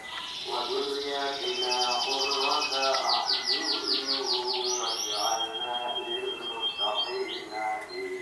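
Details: Champion canary from 2014 singing a fast, rolling song: rapid runs of repeated high downward-sweeping notes forming trills, broken by sustained whistled tones, over steady lower buzzy bands throughout.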